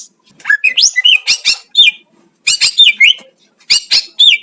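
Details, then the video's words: Master song of a greater green leafbird meant to stir up other leafbirds: rising whistled slurs, harsh chattering bursts and quick looping notes in short phrases separated by brief pauses, clean with no background. "CUCAK IJO ANDA AUTO EMOSI JIKA DIDENGARKAN SUARA MASTER IJO INI"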